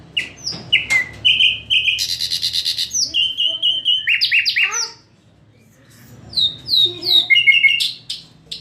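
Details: Varied song of a common nightingale: sharp clicks, a harsh buzzy burst, steady repeated whistled notes and descending slurs, a pause, then a new phrase of quick rising and falling chirps, with soft low background hum.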